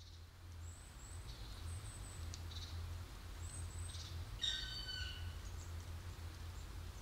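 Black woodpecker giving one brief, harsh, slightly falling call midway, over thin high notes from small birds and a steady low rumble.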